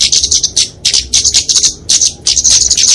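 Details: Flowerpecker fighting song, kept for training and luring small songbirds: very high, thin rapid chips and ticks in dense bursts, clustered in short runs separated by brief pauses.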